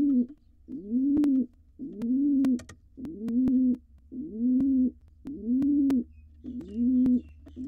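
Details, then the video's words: Courting male pigeon, wild, calling to the female inside a monitored nest box; six steady, low, bowed coos each lasting about a second, evenly spaced, plus faint tapping clicks. "Dad is courting Mom"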